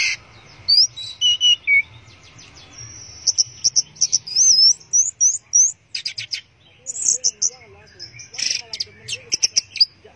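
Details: Orange-headed thrush in 'teler' singing: a long varied stream of quick chirps, looping whistled notes and trills, with clusters of sharp clicks and a wavering lower whistle near the end.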